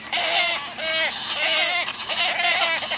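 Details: Group of young wood storks begging their mother for food: a constant chorus of nasal, bleating wails with overlapping voices. The calls rise and fall in waves about every half second.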